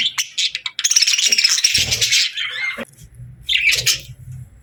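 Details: Parakeet chatter, with quick sharp chirps opening, then a sustained scratchy warbling run of fast twitters, a short pause, and a final burst of high chirps over faint low thumps.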